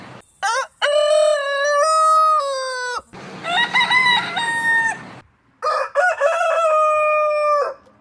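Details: Domestic rooster crowing in the morning: three long harmonic crows, each opening with a short rising stutter, then a sustained flat tone ending in a falling drop. The middle crow is rougher and noisier.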